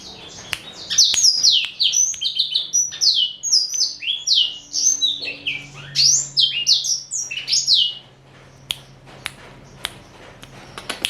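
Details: Male black-throated canary, a four-year-old caged Somerini x Botswana cross, singing a rapid run of high, descending whistled sweeps for about seven seconds, then falling quiet with a few faint clicks; a low hum underneath.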